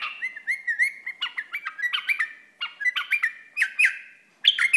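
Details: Iraqi bulbul pours out a fast, continuous run of chirping, slurred notes, rising and falling in short bursts with brief breaks.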